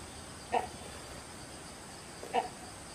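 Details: Great hornbill in Jim Corbett National Park, India (Phato zone, Chatan Road), giving two short, harsh, barking notes about two seconds apart over a steady hiss of insects.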